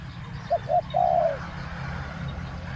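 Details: Spotted dove used as a decoy to lure wild doves, calling in the two-note 'khu ang' style: two short low coos followed by one longer, drawn-out wavering coo, over a steady low rumbling hum.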